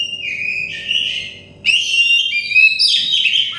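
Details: Oriental magpie-robin, song for stressed birds: a long, slightly falling whistle, brief pause, then a bright burst of layered whistled notes.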